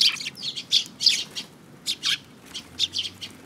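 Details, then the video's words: A mimicking sparrow in a group at a Tenmangu shrine, 5 June 2022: loud, fast high chirps overlapping in a lively chatter, about one note every half second, with a softer low hum late on. "可愛いすずめ達 今日の真似っ子君の様子"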